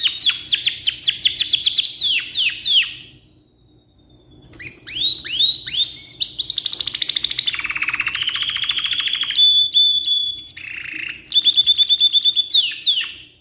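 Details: Canary delivering a long tutoring song: quick descending whistled notes, a short pause, then buzzy trills, a steady pure tone and renewed rapid chatter.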